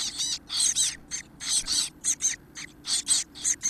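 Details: Chestnut-backed chickadee chicks, 17 days old and 4–5 days from fledging, in the nest at about 9 a.m. on 13 April 2018, give high, hissy, buzzy begging calls while being fed, in quick overlapping bursts about twice a second.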